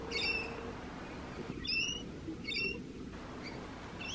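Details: Rainbow lorikeet calling in brief strident squawks, a few spaced notes of moderate loudness, fainter toward the end, over a constant low murmur of background noise.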